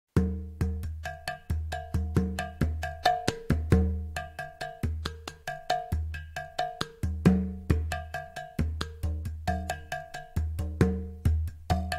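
Rhythmic percussion, cowbell-like and wood-block-like knocks with a steady low drum beat, and no animal voice.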